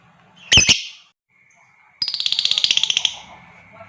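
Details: Lovebird ngekek used to provoke other lovebirds: a short harsh squawk, a pause with a faint steady tone, then a fast rattling chatter of many quick pulses lasting about a second.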